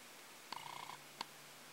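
A male Brazilian teal gives a quick run of about eight clipped, reedy notes, bracketed by two sharp clicks, over a quiet hiss.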